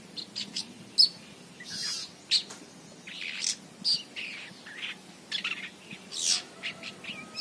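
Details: Long-tailed shrike chick singing vigorously outside a cage, giving short scratchy chirps, raspy buzzes and sharp squeaky notes in quick irregular bursts, with a faint thin whistle near the end.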